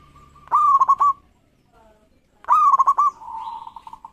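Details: Zebra dove, a local bird in strong form, singing fast replies meant to set rivals singing; two stuttering coo phrases of rising note and rapid pulses, the second trailing into a long level trill.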